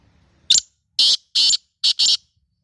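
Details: Pet black francolin (kala teetar, Sindhi type) giving one loud harsh call: a clipped first note, two longer rasping notes, then a quick doubled pair, all within under two seconds.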